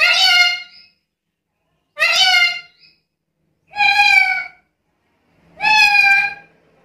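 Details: Lively black-capped lory calling: four raspy, nasal squawks, each nearly a second long, spaced about two seconds apart, with a faint low hum between them.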